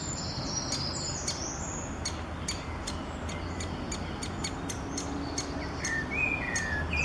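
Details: A young great spotted woodpecker (Dendrocopos major) gives sharp, clicking kik calls at an uneven, rapid pace, over a low steady rumble with a few thin whistles from other birds.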